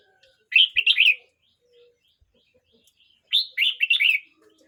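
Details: Two matching bubbly phrases about 2.5 seconds apart, each a fast string of four or five slurred whistled notes. The singer is a young red-whiskered bulbul, 12 months and 29 days old. Near silence fills the gap between them.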